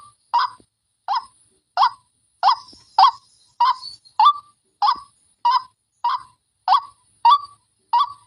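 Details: Fierce white-breasted waterhen lure call: a steady series of short, abrupt, upward-bent croaks, one about every two-thirds of a second, thirteen in all, with clear silence between.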